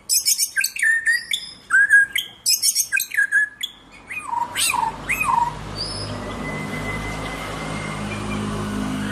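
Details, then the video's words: White-rumped shama (murai batu) in energetic song: rapid clusters of high chirps and short whistled phrases for about five seconds, ending in falling slurs, then a faint steady whistle over low background rumble. "murai batu gacor ciamik"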